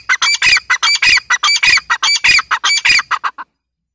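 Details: Female grey francolin, known locally as teetar, giving a rapid series of loud, harsh, squawking notes at an even pace, about fifteen in quick succession, that speed up slightly near the end and stop abruptly.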